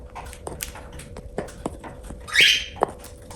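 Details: While eating, a pet cockatiel gives one strong, broad, rising screechy call, with irregular tapping and crunching clicks before and after.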